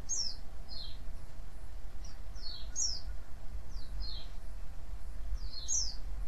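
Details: Luring call of a white-eye to get others to respond: sharp high chirps sliding downward, given singly and in pairs at uneven intervals, with steady low background noise.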